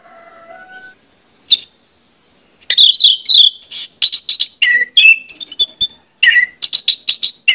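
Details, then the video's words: Lure recording of orange-headed thrush song, played to get birds singing: faint low tones, a lone chirp, then a dense, fast run of varied high chirps, slurred whistles and buzzy notes. "pancingan anis merah ini bakalan bikin gacor jika di putarkan"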